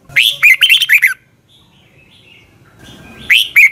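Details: Red-whiskered bulbul morning training song: a fast run of ringing, warbled notes, then a quiet gap with soft background rumble before another short burst begins.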